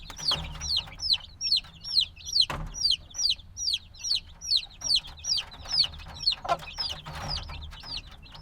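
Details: Noisy black chicks hatched a few days ago and still needing warmth chirp in a long, rhythmic chorus of high descending peeps, roughly two per second, with a few scattered clicks and scratching noises.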